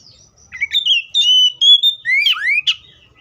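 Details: Oriental magpie-robin singing a clear phrase of level whistled notes that climb slightly, ending in two rising swoops and a short sharp chirp.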